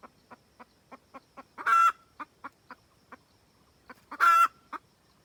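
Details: Wild red junglefowl hen cackling to call the rooster, used as trapping bait sound: irregular short clucks punctuated by two loud, harsh, drawn-out squawks about two and a half seconds apart.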